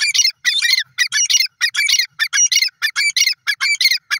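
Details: Sindhi teetar, a grey francolin, gives a rapid chattering series of harsh, squawky notes, several per second, steady and continuous throughout.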